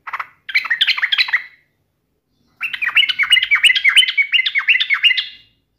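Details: Yellow-vented bulbul in strong voice, provoking a rival to respond. A short bubbly opening phrase, a pause, then about three seconds of rapid, rolling, gurgled notes repeated in a lively rising-and-falling chatter.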